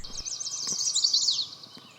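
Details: Mourning warbler singing a quick run of rolling, burry chirry notes dropping lower at the end, about a second and a half, on breeding territory in Sax-Zim Bog on a foggy morning, 24 May 2020.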